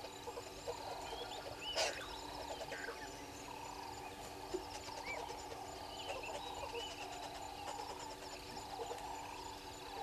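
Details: At 06:32 on 03/07/2022, red-billed hornbills gather beneath a waterhole camera at Gowrie dam in Djuma Game Reserve, Sabi Sand, South Africa, keeping up a steady run of clucking pulses, overlaid by scattered whistles and chirps from other birds.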